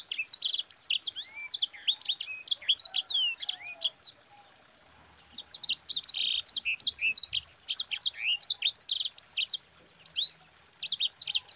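A sanger pours out a fast, rolling chatter of high, sharp chirps and twittering trills, broken by one short pause midway.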